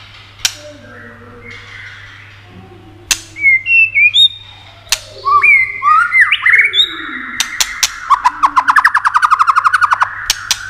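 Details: White-rumped shama song played to excite other shamas: soft low warbling, then clear high whistles and rising slurs, ending in a fast rhythmic rattle of about twenty notes among sharp clicks, over a low hum.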